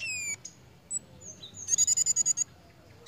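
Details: A pied fantail in breeding condition gives a quick chattering run of about eight sharp, high notes, after a falling squeal and a few thin chips.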